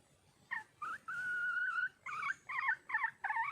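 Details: Wild red junglefowl hen calling for a male: a few short, nasal notes, then a drawn-out even whistled tone, followed by a series of quick wavering cackles.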